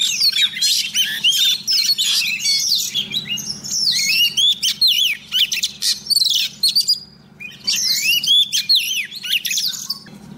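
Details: Female Oriental magpie-robin used as a decoy, singing to call a male: rich, fast, varied whistled phrases with rising and falling slurs and sharp chips in dense bursts, brief pauses between, over a steady low hum.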